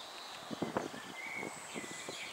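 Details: A water rail (Rallus aquaticus) at RSPB Titchwell, Norfolk, UK, gives a quick, uneven run of short, low, grunting knocks, with a thin high whistle from another bird and a soft background hiss.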